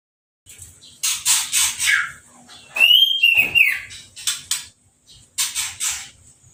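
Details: Orange-headed thrush singing after its moult, sprayed with a hose for a bath and left uncovered: scratchy high twittering phrases around a clear arched whistle, in quick irregular bursts with short gaps.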